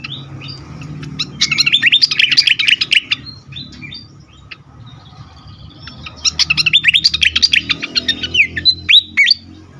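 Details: Fantail in an agitated state, sung to lure and excite other birds: two bursts of fast, scratchy, high chattering notes separated by quieter ticks, with sharp downslurred chirps at the end over a steady low background hum.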